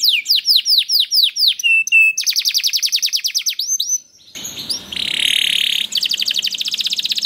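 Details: Canary singing in a lively 'gacor' style, used as a lure to spur other canaries to sing: a run of high descending sweeping whistles, then a rapid trill, a harsh buzzy rolling phrase, and another fast even trill.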